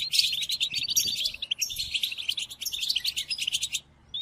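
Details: European goldfinch song for tutoring captive birds during moult: a fast, continuous stream of tinkling twitters, buzzy notes and clear chirps that runs almost four seconds, then falls quiet before one brief final note.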